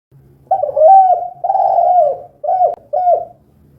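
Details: Spotted dove, locally tekukur, 'kuk 2' call: two long mellow coos dropping at the end, followed by two short falling coos, loud and clear with faint low hum behind.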